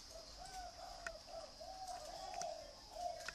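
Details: Soft, low dove coos rolling in uneven waves over a faint background hiss, with a couple of small clicks.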